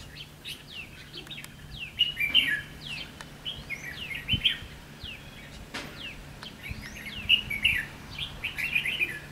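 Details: Wild red-whiskered bulbul raising young, giving fighting song at a trap: rapid series of sharp, down-slurred whistled notes and chirps, several bright phrases clustered together, with brief wing flutters and low background hum.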